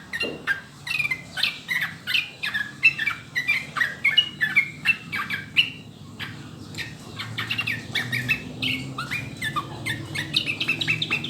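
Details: Yellow-vented bulbul (trucukan), a clear recording for coaxing other birds into song: dense, rapid chattering chirps and brief whistled notes over about eleven seconds, irregularly spaced, with a low background hum.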